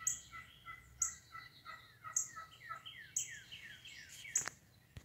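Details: Wild turkeys calling in a yard in March 2019, mating season: rolling gobbles that drop in pitch, repeated about once a second, while thin high chirps from other birds sound alongside.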